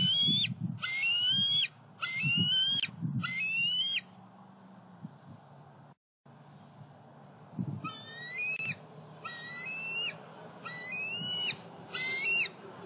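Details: Two juvenile bald eagles out and about between nest, pond and snag tree in Southwest Florida, July 2020; bursts of short, sharply rising whistled notes, four in a row, a pause, then another five, over faint wind.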